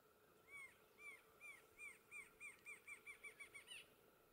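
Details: Rufous-winged antshrike (Thamnophilus torquatus) at Ribas do Rio Pardo, Mato Grosso do Sul, Brazil, 25 April 2021: a series of about twelve downslurred, arched notes that speed up and shorten, ending in a higher note, over a steady low hum.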